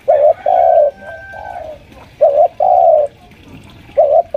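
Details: Senior spotted dove lure bird, about five years old, calling at home while pressing a rival: repeated low cooing phrases, a short note then a drawn-out coo, with faint higher tones in the background.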